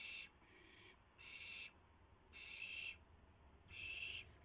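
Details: Nest owls at night, 3:38 AM on April 7, 2016, at a rabbit delivery; five breathy, harsh screeches, some short and some longer, repeated in a loose rhythm.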